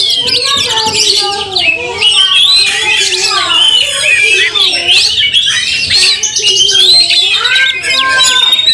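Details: Oriental magpie-robin singing while fighting, emotional and angry with tail spread, stirring other magpie-robins to fierceness; dense, loud stream of high whistles, chatters and squeaky notes, with lower wavering tones underneath.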